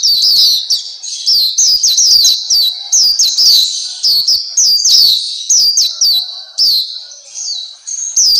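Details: Black-capped white-eye, known locally as pleci Papua, on a master training track for caged birds: a nearly continuous run of high, quick, slurred chirps that sweep down and rise again, with only short dips between phrases.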